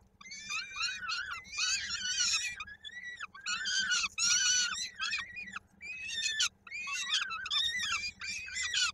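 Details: Peregrine falcon at a nest in Koszalin, Poland, on 16 May 2022, an adult feeding a chick whose foot got stuck in its beak; harsh, wailing screeches in bursts of about a second, repeated with short pauses.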